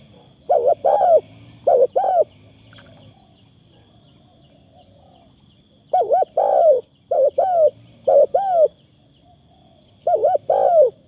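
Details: Decoy Spotted dove with a very good voice and thin, light phrasing repeats cooing phrases in clusters: short paired hooked notes ending in a falling coo, with a pause of several seconds midway.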